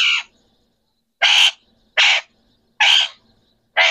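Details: Green Pakistani rose-ringed parakeets, three talking birds kept together, giving loud, harsh, broad screeches about one second apart, each burst short and grating.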